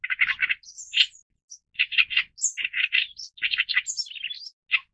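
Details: Oriental reed warbler (Acrocephalus orientalis) song: loud, harsh, grating notes in quick clumps of two or three, broken by thin high squeaks, the phrases following one another without pause.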